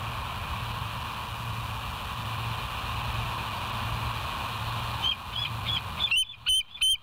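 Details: West End bald eagle on a live nature cam, 07/09/2023 at 06:24. A constant low hum fills most of the recording until faint high notes begin, building into three or four loud, sharp piping calls at the end.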